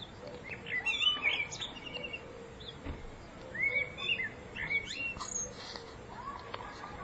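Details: Common blackbird singing in spring 2014: two short fluted warbling phrases that rise and fall, each ending in thin, squeaky high twitters, separated by a quiet pause, with faint background hiss.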